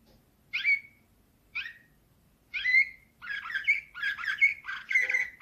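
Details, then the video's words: Slavujar-style canary song from 2024, opening with two separate sweeping whistled notes about a second apart, then breaking into continuous rolling trills and chattering phrases that grow fuller toward the end. "Uccello dell'usignolo delle Canarie Slavujar"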